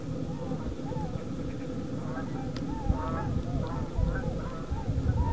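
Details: A flock of 33 tundra swans calls while flying over Nelson's Lake in Batavia, Illinois: many mellow, high, slightly quavering whoops that overlap steadily, over a heavy low rumble of wind.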